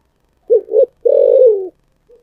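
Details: A single 'giọng thổ sấm' phrase from a spotted dove: two quick low coos, then a sustained, slightly falling coo, all clean against a silent background.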